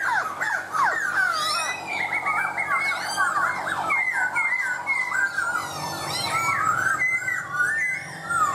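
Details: Laughingthrush song full of varied loud whistles, swooping slurs and fast high trills, phrases tumbling into one another without pause, backed by low steady hiss.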